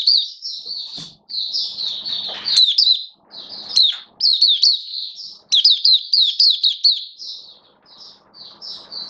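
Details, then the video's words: Caged oriental white-eye in build-up form, 19 September 2022, pours out long streams of high, rapid warbled twitters in several bursts, with brief pauses and light background noise. "Mata Puteh V2 Raja Buka Sing Build Up Form"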